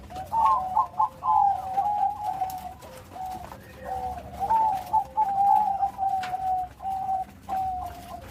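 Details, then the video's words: Zebra dove of the Bangkok type singing with a big voice and complete rhythm: a burst of rapid, bubbling trills, a pause, then a long string of wavering coos ending in two drawn-out notes. "Burung perkutut bangkok gacor.Suara besar. Irama lengkap."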